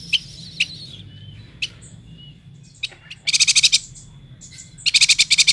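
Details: Endemic Kalimantan yuhina opening with a few spaced sharp chips and a thin whistle, then breaking into two long, fast rattling bursts of bright high pulses.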